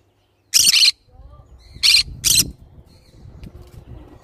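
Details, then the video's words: Green-cheeked conure calling with three loud, harsh, raspy screeches, one longer then a close pair, over a soft rumbling background murmur. "green cheek conure sounds"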